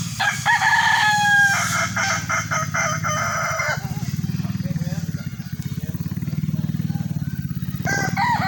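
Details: Kukuak Balenggek chicken crowing at a sparring session: a loud, stepped, multi-syllable crow for nearly four seconds. A deep motorcycle-like engine drone then takes over, with faint distant crowing after it.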